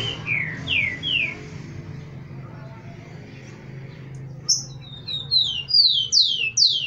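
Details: Rufous-collared sparrow (tico-tico) male, kept with females and eager to fight. He sings three slurred, falling whistles, pauses, then gives a faster run of high, descending whistled notes over a steady low hum.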